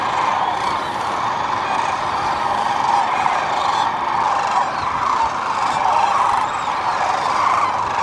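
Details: Spring stopover of migrating sandhill cranes on the Platte River, central Nebraska, where they feed and rest; many voices merge into a steady rattling chorus, with occasional clearer bugling notes rising above the crowd.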